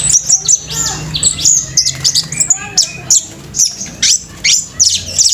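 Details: Orange-headed thrush singing at full speed: dense high-pitched chattering and twittering notes, quick sharp downslurs and squeaky phrases repeated in rapid bursts, with some low background noise.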